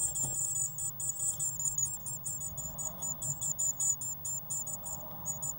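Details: Eurasian blue tit chicks in a nest box on 1 June 2016, growing fast and fed waxworms, give a dense, rapid chorus of thin, very high-pitched begging notes in quick pulsing bursts, with a low steady hum beneath.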